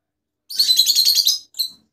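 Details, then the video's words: Rosella mutation bird giving one drawn-out, raspy, high trilled chirp lasting about a second, followed by a short clipped note. "جميع طفرات الروز"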